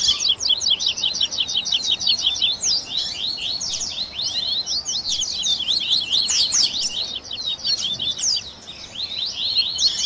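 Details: Ten seconds of tui tui baderna from double-collared seedeaters, meant for training caged birds: continuous rapid high chirping and zigzag whistles from several singers, easing slightly near the end.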